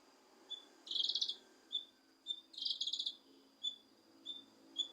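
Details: Leafbird notes meant to provoke a lazy bird into singing: short high whistles repeated at under one-second intervals, broken by two longer dense buzzy chattering bursts, over a steady faint background hiss.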